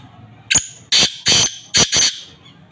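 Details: A black francolin calls loudly with five harsh, rasping, scratchy notes in a quick rhythmic series, spaced roughly half a second apart over quiet background.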